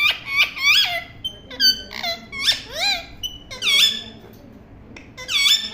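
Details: Parrot chirping indoors: a rapid run of bright, squeaky, bending chirps and short whistles, some rising and some dropping sharply, with brief pauses between bursts and a faint room hum beneath.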